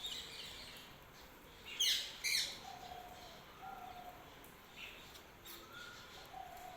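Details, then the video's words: Early-morning chirping with a pair of sharp, bright high chirps near the two-second mark, surrounded by faint, brief tweets and soft sustained whistled notes in a quiet outdoor setting. "Early morning # Birds # chirping"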